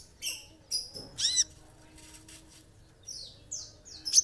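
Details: An olive-backed sunbird sings in quick bursts of very high, thin chirps and sharp downslurred sweeps, with short buzzy trills between them.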